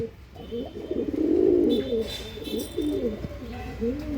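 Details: Andhra line pigeons cooing: a loud rolling coo followed by bowed, rising-and-falling coo notes repeated steadily, with human voices faintly in the background.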